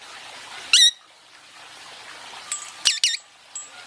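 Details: Pet Indian ringneck parakeet basking and talking: a harsh, sharp squawk early on, then a cluster of three quick screechy notes near the end over a soft background hiss.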